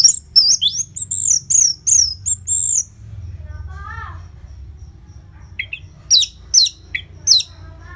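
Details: Orange-headed thrush singing loudly with short pauses, a recording used to prompt caged birds to sing: quick bursts of high, sweeping whistled notes for three seconds, a fainter lower warble, then more sharp notes after a gap, over low hum.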